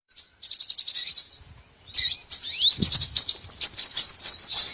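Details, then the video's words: Small birds in a lure recording meant for trapping all kinds of small birds: a dense high chirping buzz at first, then after a brief pause a rapid run of thin, sharp, up-and-down whistled notes, loud and continuous. "MP3 BURCIL COCOK UNTUK PIKAT SEGALA JENIS BURUNG KECIL"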